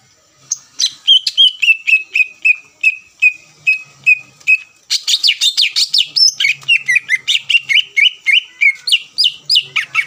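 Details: Greater green leafbird song for provoking rival birds: first a series of evenly repeated whistled notes, then a sudden switch to a dense, fast, high chattering and whistling medley.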